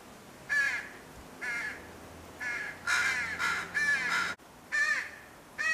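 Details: Fledgling crow cawing angrily at its father, perhaps over feeding; rough, nasal caws, some overlapping in a quick noisy burst, with faint low hum beneath.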